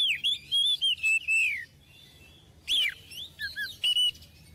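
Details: Oriental magpie-robin, a kept bird recorded as a tutor song for young birds, giving rich whistled notes sliding downward, a pause, then sharp high whistles and short paired lower notes.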